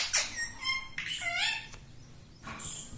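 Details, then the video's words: Talking parrot saying "mittu": short harmonic-rich voiced sounds, first a sharp squawk-like syllable, then steady tonal notes and a falling, speech-like phrase, with a brief burst near the end over a quiet room background. "मीटु मीटु बोलने वाला तोता - mittu mittu me mittu taking parrot"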